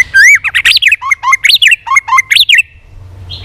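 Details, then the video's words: Varied competitive song of a White-rumped shama flicking its tail: loud looping whistled phrases rising and falling in quick succession, linked by a steady middle note, ending in a soft trailing tone. "chòe Lửa đập đuôi hót đấu liên tục nhiều giọng"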